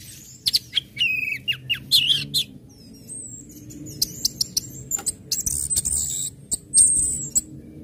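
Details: Orange-headed thrush song mixing ngecip, ngecit and ngeplong styles, played to prompt other birds to join in: sharp chips, brief whistled slurs, then a long thin high twittering trill, over faint low hum.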